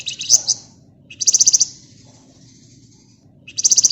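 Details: Active flamboyan bird delivering dense 'ngebren' song: rapid bursts of six or seven sharp, very high notes, repeated every one to two seconds, over a faint steady hum.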